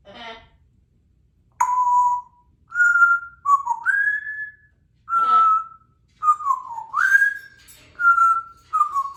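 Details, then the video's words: Pet African grey parrot whistling: clear, pure whistled notes, some steady and some sliding upward, come in a melodic sequence, mixed with brief raspy, voice-like sounds. "starts out with hello give me a big kiss"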